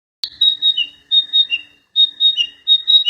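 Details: Wild flycatcher singing a rapid series of clear, high whistled notes that alternate with slightly lower ones, delivered in three bursts separated by short pauses, with no other sounds.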